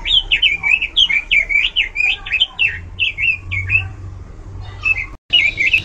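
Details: Loud, varied song of an Oriental magpie-robin in full singing form: a fast run of bright whistled notes, each bending up or down, repeated about twice a second with brief pauses, ending in a sharp burst after a short gap.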